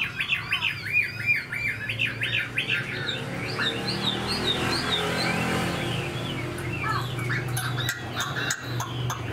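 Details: A large, captive Chinese hwamei, said to be only 80–85% tamed, sings rich, varied whistled phrases with rising and falling slurs, fast and continuous, over a man talking and a low background hum.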